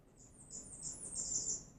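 Blackburnian Warbler song: a thin run of very high, wiry notes climbing upward to an almost inaudible pitch, over a faint low room hum.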